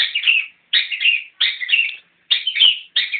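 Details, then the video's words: Harsh, scratchy chatter from a newly caught Long-tailed Shrike: five rasping bursts with brief pauses between them, each phrase slurring downward. "kicau pentet anyaran"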